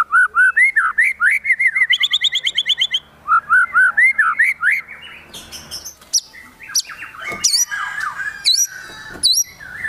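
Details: White-rumped shama in a high-excitement song with fill-in phrases: bouncing whistled loops and rapid high trills, then sharp down-slurred and abrupt squeaky notes.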